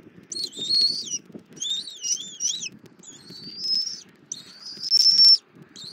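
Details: Bald eagle at a Southwest Florida nest, mother feeding her eaglet armadillo at 08:41, 24 February 2024, on a nest cam. Wavering, warbling high whistles in several bursts, some with twisting double lines, then steadier shrill notes; faint low noise underneath.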